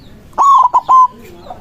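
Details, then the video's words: White zebra dove in full loud song, meant to call rivals: a clear whistled phrase of three notes, a long level tone, a short break, a brief note and then another sustained tone, over a quiet background. "PERKUTUT PUTIH GACOR SUARA BESAR AMPUH MEMANGGIL LAWAN BUNYI MANGGUNG"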